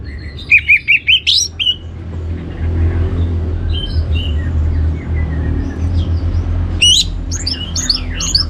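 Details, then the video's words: Orange-headed thrush song used to provoke other birds into singing: a burst of five or six loud, evenly spaced chirps opens, quieter whistles follow, then a dense run of sharp varied notes, over a constant low hum. "ANIS MERAH Cor Suara Penggoda Membuat Burung Kenceng Jadi Ngeplong Lanjut Teler"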